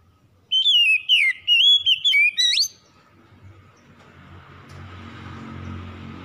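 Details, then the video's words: Kacer, or oriental magpie-robin, in a recording meant to coax a lazy bird into full song. A short phrase of sweet whistled notes mixed with sharp upward flicks, followed by a low rumbling background. "PANCINGAN SANGAT AMPUH MEMULIHKAN KACER MALAS BUNYI CEPAT GACOR"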